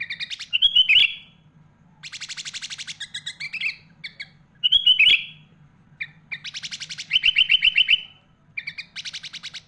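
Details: Sooty-headed bulbul, a vigorous songster loaded with imitations of other birds including magpie-robin, recorded to train young and adult bulbuls: buzzy rattling trills alternate with loud twisting whistled notes and fast even chirp series over a faint low drone.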